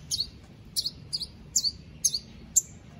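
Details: Caged white-rumped shama in a singing contest entry from Palu, Central Sulawesi; short sharp high chirped notes repeated about every half second over a low background hum.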